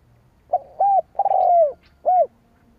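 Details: Spotted dove cooing to lure wild rival doves: a short clipped note, a rounded coo, a long purring coo that slides down, then a final rounded coo, all low and mellow.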